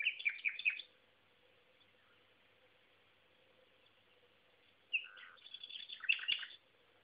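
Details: Common nightingale heard one afternoon near Szentsimon, Hungary, sings two brief bursts of rich, varied, tinkling phrases with rapid chirps and a low fluty note, separated by about four seconds of quiet.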